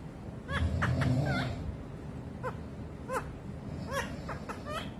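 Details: Pet parrot courting its owner's foot indoors, giving short, bright chirps in small clusters across five seconds over steady low rumbling background noise.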